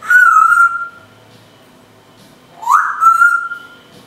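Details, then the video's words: Captive female timneh African grey parrot at home, mimicking house noises and whistling for a dog: two pure, sustained whistles near one pitch, the second sliding up before holding steady, with a quiet pause between. "African grey, calling a dog, making house noises, and improvisational jazz whistling"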